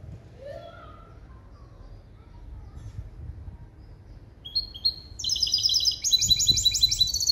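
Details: Hybrid bird, a male European goldfinch crossed with a female canary, giving its trained limpio song in 2021. A few faint notes lead into a loud, dense run of high, fast rippling trills and chirps in the final seconds.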